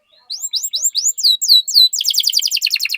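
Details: Canary singing as a lure to set other canaries singing: a series of falling-then-rising whistled slurs repeated steadily, switching abruptly into a rapid, dense, high buzzy trill.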